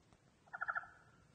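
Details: A pet common raven, hungry after Winter Storm Quinn left a foot of snow, gives a quick gurgling rattle of four rapid, mid-pitched pulses lasting under half a second while begging for food. Faint background hiss.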